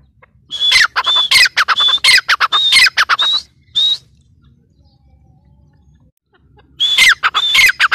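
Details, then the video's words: Grey francolin, locally called teetar, giving a rapid series of harsh, ringing notes with a high whistled tone, calling for about three seconds, falling silent, then resuming near the end. "Teetar ki awaaz | तीतर की आवाज | তিতির আওয়াজ | El sonido de una perdiz | ਇੱਕ ਤਿੱਤਰ ਦੀ ਆਵਾਜ਼"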